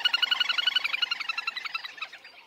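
A little grebe gives a fast, high whinnying trill of about ten notes a second that runs for over two seconds and fades toward the end.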